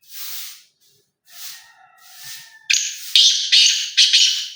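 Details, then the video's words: Black francolin (kala teetar) voice: soft breathy sounds and a faint thin whistle, then a loud, harsh, rasping call of three or four grating notes in quick succession. "کالا تیتر کی آواز ماشااللہ مست بلار تیتر"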